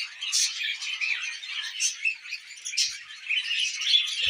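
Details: Tame budgies eating millet: rapid chirpy chatter with sharp squeaks and short buzzy bursts, all high-pitched and continuous.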